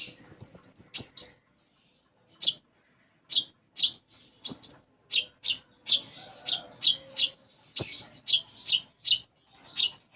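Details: Lively sunbird song with sparrow-style phrases: a quick descending trill, a brief silence, then a long series of sharp, very high chips and twitters repeated about every half second.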